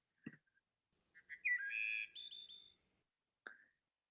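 Wood Thrush song: a few soft introductory notes, a clear fluted phrase, then a high, shimmering trill that ends it. The song lasts about a second and a half.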